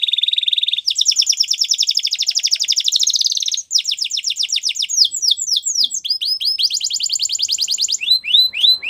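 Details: Belgian canary song for training young canaries: steady high trill, then a long fast rolling trill, followed by repeated downward-sweeping whistles and sharp chirped notes in quick succession, with clear tour changes.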